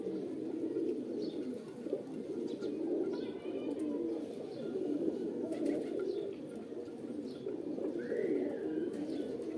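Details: A flock of pigeons coos steadily, their soft, throaty, overlapping notes blending into an unbroken murmur. A short rising whistle is heard near the end.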